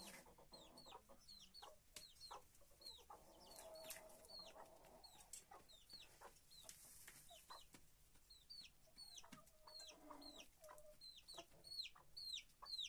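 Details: Flock of chickens in their coop: a steady stream of thin, sharply falling peeps, roughly two per second, with a brief lower hen call in the middle and occasional clicks and rustles.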